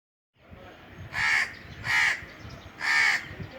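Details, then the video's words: Indian crows cawing from a treetop on a very hot summer day: three loud, harsh caws spaced about a second apart after a short quiet lead-in, with a low murmur underneath. "Indian Crows cawing"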